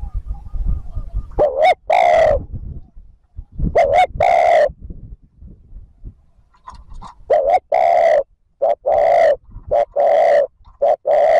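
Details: Spotted dove cooing, used to lure wild doves: a series of low, hoarse two-part coos, a short note rising into a longer drawn-out one, repeated at uneven intervals and growing more frequent toward the end, loud and close.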